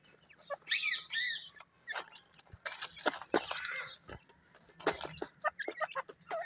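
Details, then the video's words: Teetar, the local name for a francolin, with chicks nearby; sharp harsh notes and short rising chirps in quick irregular bursts, several loud clicks and knocks mixed in. "teetar awaaz"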